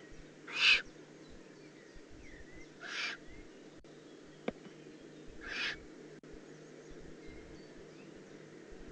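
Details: Juvenile Eurasian eagle-owl in the Eifel, recorded 18 June 2016: three harsh, breathy hissing bursts, each under half a second, spaced about two and a half seconds apart over a low steady background hum.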